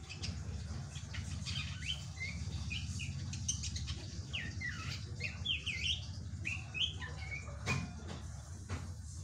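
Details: Young drongo singing in a lively, varied run of short whistled notes, some rising and some falling, delivered in quick bursts throughout, against a steady low hum.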